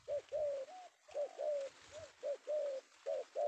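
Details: Penguku-style male spotted dove (tekukur) taken one afternoon in Indonesia, cooing steadily: short hollow coo notes alternating with longer level ones, about nine in a few seconds, over soft background hiss and low knocks.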